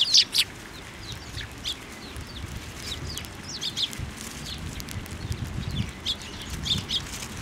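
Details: Eurasian tree sparrows gathering on a plum tree at a Tenmangu shrine, 10 February 2024; a loud chirp opens, followed by scattered short, high chirps over steady low background rumble.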